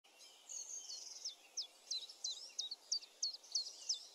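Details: Common chiffchaff singing: a steady series of high, thin, two-toned notes, about three per second, each a quick sharp downward slip, over faint background hiss.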